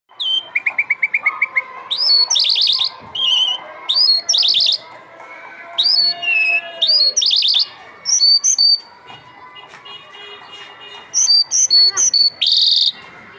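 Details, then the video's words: Irani lark, locally called jal mushadi, singing: a lively run of varied notes with rapid high trills, sharp chips and short whistled slides, delivered in bursts with brief pauses. "Jal mushadi singing bird Irani lark"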